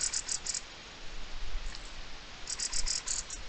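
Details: Alarm of a mistle thrush, dated 04-05-23: two short harsh rattles of quick ticking pulses, one at the start and one near the end, over a quiet background hiss.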